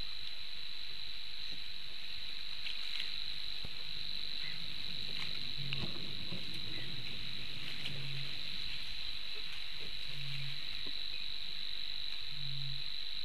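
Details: A Eurasian bittern at a nest in the reedbeds of Lake Engure, Latvia, on 4 May 2023 at 12:26 gives deep, hollow, foghorn-like booms about every two seconds over a steady high insect trill.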